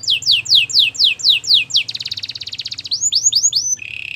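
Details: Canary of the Belgian breed singing for training, opening with seven sweeping downward whistles, then a rapid rattling trill, a few upswept notes and a lower buzzy roll; low hum in background.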